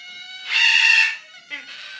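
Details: A single pet Ducorps's cockatoo gives nasal, whining cries, overdubbed five times into a chorus: a thin sustained tone swells into a harsh, rasping wail, then a shorter whine follows as the layered calls overlap.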